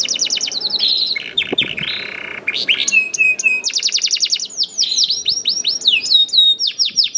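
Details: Juvenile canary singing to coax other canaries into song: rolling trills, a buzzy interlude, then a quick, even roll of repeated notes and sweeping whistles to the close.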